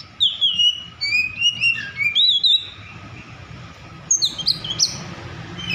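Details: Oriental magpie-robin in an agitated state, singing to provoke rivals: rapid whistled slurs and chips for two seconds, a quiet pause, then sharp high notes resume.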